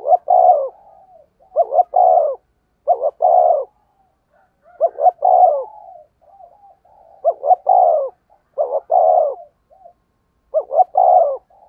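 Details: Spotted dove decoy cooing in a fast local-style delivery: grouped hoarse coos, two quick notes then a longer rolling one, repeated in clear phrases with silent gaps, no other sounds.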